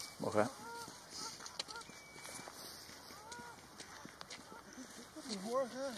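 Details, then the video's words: Pied avocet in a breeding colony in the Netherlands during mating season, birds chasing black-tailed godwits; a loud burst, then several short rising-falling yelping notes, and a run of repeated wavering calls at the end. "Pied avocet colony - De kluut vogel"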